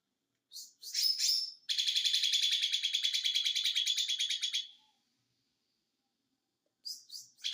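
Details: Small green white-eye singing in the 'konslet' style: a few high sharp chirps lead into a dense, rapid, buzzy trill lasting about three seconds, then silence before more high chirps at the end.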